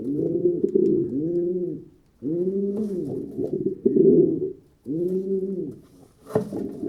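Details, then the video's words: Pigeons giving rounded, bubbling coos in groups of two or three, separated by short pauses, with a sharp click near the end. "Pigeon Sound Effect - the sounds that pigeons make"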